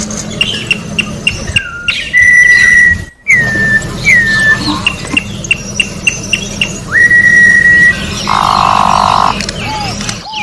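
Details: Orange-backed troupial singing in nature: loud clear whistles, long level notes and downward-sliding slurs, with a string of short ticking pulses and a brief harsh burst in the background.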